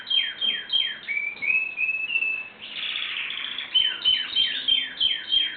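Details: Singing canary repeating sharp downward-sweeping whistled notes about three per second, broken by a rising whistled phrase and a short buzzy trill, then back to the repeated sweeps.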